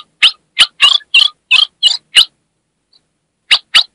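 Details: Female ultramarine grosbeak from Brazil's Northeast calling to stimulate a male: seven quick harsh chirps, some doubled and buzzy, then a silent gap and two more sharp chips.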